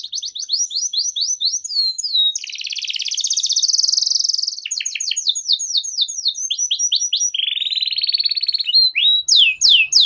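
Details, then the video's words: Canary in extended 'gacor panjang' song, meant as a model for young birds: rapid series of sweeping whistled notes, a loud rattling buzzy trill, then more descending sweeps and rolling phrases without a break. "Suara Burung KENARI Gacor Panjang"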